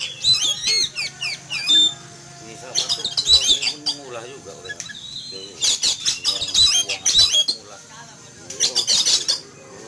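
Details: Frightened caged Oriental magpie-robin, out in a home yard in the morning after seeing an eagle fly past: repeated clusters of shrill, rapid whistles and harsh chatter in several bouts, with human voices between.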